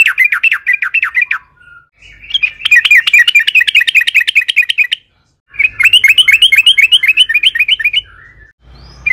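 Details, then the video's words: Yellow-vented bulbul in lively long song, used as a lure to set other bulbuls singing: fast runs of bubbly, slurred notes around four per second, broken by short pauses, with faint low rumble behind. "trucukan gacor panjang AMPUH buat PANCINGAN TRUCUKAN AGAR BUNYI"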